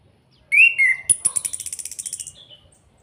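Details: Orange-headed thrush kept as a songbird in Salatiga, Indonesia, giving its kretekan call used to provoke other birds into singing: a bright slurred whistle, then a fast crackling rattle of about a dozen clipped pulses that fades out.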